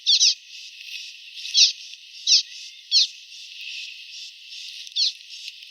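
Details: Common waxbill song, recorded clean without added effects: sharp high buzzy notes at uneven intervals of about a second, over a constant high hiss.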